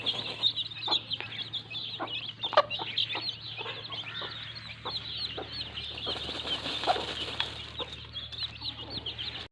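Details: Mother hen and chicks in mud: quieter, scattered clucks beneath constant high chick peeping, with a soft flutter and low hum in the background.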